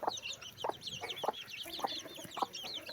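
A crowd of chicks peeps constantly in high, thin, wavering notes, while a hen clucks low about twice a second underneath.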